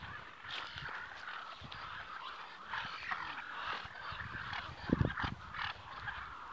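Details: Domestic ducks chattering among themselves, a busy overlapping mix of nasal calls and soft trilling warbles, with one louder burst near the end.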